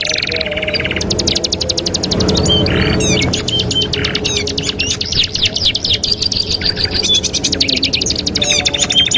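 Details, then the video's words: Canary song as a master for training canaries: extended fast rattling trills of repeated notes, some buzzy bursts and sliding notes, rhythmic and unbroken, faint low rumble behind. "TERAPI MASTERAN KENARI 2 IN 1 | CANARY SINGING"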